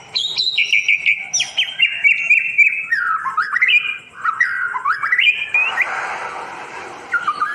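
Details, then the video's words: White-rumped shama song used to tutor non-singing birds: continuous rapid warbling with rising and falling whistled notes, ending in a harsh rasping burst. "Solusi Masteran Burung Murai yang macet bunyi durasi panjang gacor dor"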